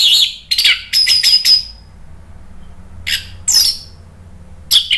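Orange-headed thrush giving bright, varied song phrases in bursts of rapid high notes, chirps and slurred whistles, with short pauses between.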